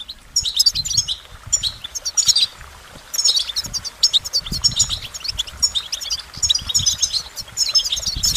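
A goldfinch sings a fast, liquid twittering of bright tinkling notes and buzzy trills, in bursts broken by short pauses, with a faint low rumble beneath.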